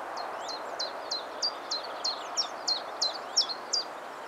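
Common chiffchaff song: a steady string of high, clipped notes, about three per second, alternating slightly in pitch over a soft background rumble.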